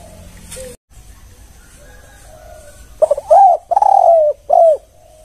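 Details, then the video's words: Spotted dove giving a one-kuk lure call. After a quiet stretch comes a stuttered opening, one hooked coo, a long steady coo, then a shorter falling coo, deep and soft. "Suara spesial pancingan TEKUKUR KUK1"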